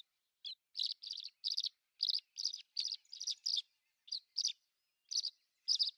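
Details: Common house martin song: a steady series of short, scratchy chirped notes, paired and single, repeated roughly every third of a second, with a few longer gaps near the end.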